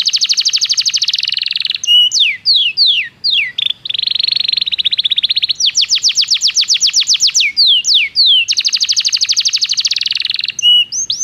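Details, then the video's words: Belgian canary in full training song, long dense buzzing trills broken by swift descending whistles, rolling pulsed passages and more sweeping notes, loud and continuous throughout. "O canto do canário belga fascina muitas pessoas - o melhor treinamento para canários"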